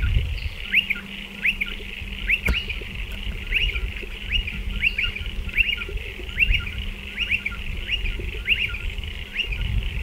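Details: Striated pardalotes calling around nest burrows dug into a dry stone wall; a steady run of quick upslurred chirps, often paired, with a sharp click near two seconds and constant hiss.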